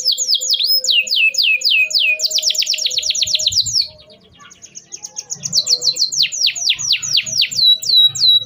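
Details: Canary lure song for young canaries: repeated down-swooping whistles, a fast buzzy trill, a brief drop in volume with low background sounds, then more descending whistled notes.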